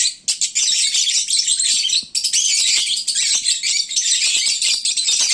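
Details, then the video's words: Lovebirds at midday, full and sleepy, as loud as a bird market: an almost unbroken stream of shrill, scratchy chirping and squeaking from several birds, dipping only briefly around two seconds. "Kicauan Lovebird saat mengantuk"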